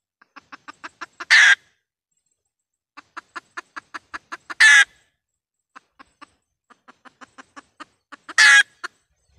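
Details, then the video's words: Vietnamese trapping lure of a red junglefowl hen calling. Three cycles of accelerating clucks, each ending in a loud harsh squawk, roughly every three to four seconds. "tiếng gà mái mồi kêu"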